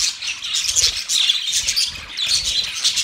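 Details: Budgerigars, described as singing while mating, give a dense high-pitched chattering warble of chirps and squawks throughout, with soft low thumps underneath.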